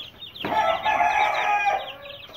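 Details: Young Aseel chickens aged about 20 days to 2.5 months: one bird gives a loud, drawn-out, harmonic crow-like call lasting over a second, with high chick peeps heard before and after.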